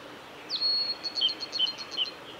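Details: Male blue-and-white flycatcher singing at Kanazawa forest road by Lake Miyagase, Japan, 17 May 2020: a long, steady high whistle followed by a quick series of short, clipped notes and small downslurs, over quiet background hiss.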